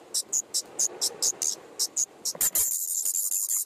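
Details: Five common nightingale chicks in an attic nest, mid-May 2014, GoPro camera right beside them: thin high hissy notes repeated quickly, then swelling halfway through into a continuous, loud, overlapping chorus of sibilant calls.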